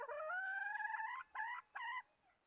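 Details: Hen giving a drawn-out, slightly rising nasal note lasting over a second, followed by two shorter harmonic notes, then quiet.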